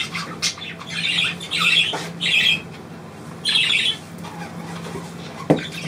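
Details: Pet bird trilling on command from its owner indoors: short bright chirping bursts repeated about every second, with a steady low hum underneath.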